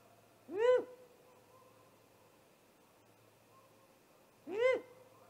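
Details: Great horned owl in an attack on a nesting great gray owl, captured by a live nest cam just after midnight, 30 March 2018; two harsh, hoarse screeches roughly four seconds apart, each a brief arching rise and fall, with near silence between.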